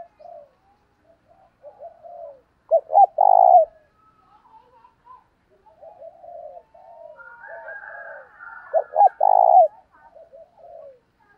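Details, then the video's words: Decoy-training calls of male and female spotted doves. Two loud phrases about six seconds apart each give a pair of short notes and a long vibrating coo. Quieter scattered cooing from other doves runs between them. "Chim cu gáy dùng để tập bổi hiệu quả hàng ngày"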